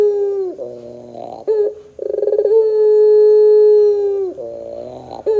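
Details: Singing lure of a puter pelung dove: a falling coo ending, choppy buzzy notes, a rattling pulsed run, then a long, level, low-pitched coo held nearly two seconds before dropping into rough notes again.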